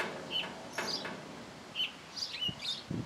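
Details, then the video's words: Singing hour for a thrush: clear, short high whistles repeated in small groups, including a quick falling slur, with some soft thumps and background noise. "Zorzal en su hora de cantar"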